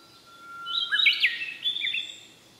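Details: Male Siberian blue robin: a thin steady whistle leads into a brief burst of high, tumbling, squeaky notes around the middle, fading out afterward; faint background hiss.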